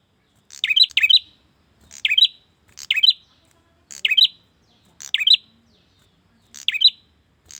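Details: Bar-winged prinia male calling to a female, a recording meant to lure wild birds: seven quick, high, chattering bursts spaced about one second apart, each a tight cluster of sharp chirps, with nothing else audible.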